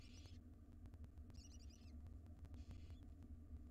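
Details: At a monitored nest box, a wild male barn owl cares for nestlings until the female comes back. Three short, noisy hissing bursts sound roughly a second apart against a constant low background drone.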